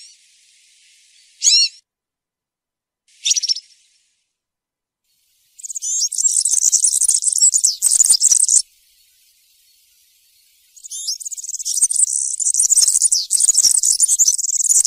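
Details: Field-style cante campero from a European serin, meant for young birds to learn: two brief high trills, then two long runs of fast, piercing, tinkling twitter separated by a short pause.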